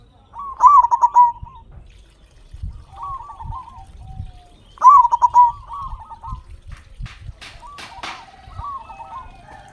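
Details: Zebra dove, a local Indonesian perkutut with a big voice, used to stimulate quiet captive doves to sing; loud burry stuttering coo phrases ending in drawn-out notes, repeated roughly every four seconds, answered by softer distant coos and a few clicks.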